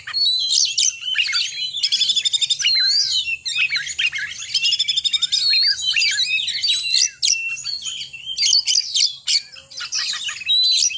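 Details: Energetic oriental magpie-robin song delivered as short ngekek phrases: long continuous stream of high sweeping whistles, chips and rattling trills, bright and varied, with only one or two brief breaks.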